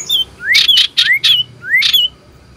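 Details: Common iora singing loudly in search of a rival, 27 December 2022: rising slurred whistles that end in bright, broad chattering bursts, four in quick succession, then a fifth after a pause.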